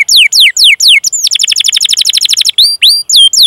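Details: Energetic canary song used to prompt young or silent canaries to sing. It opens with clear downward-sliding whistles, breaks into a rapid rolling trill, and ends on rising swept whistles.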